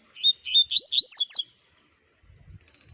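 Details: Double-collared seedeater sings a fast run of about six bright chirps in just over a second, the last notes climbing higher and sharper, then quiet with a low rumble near the end.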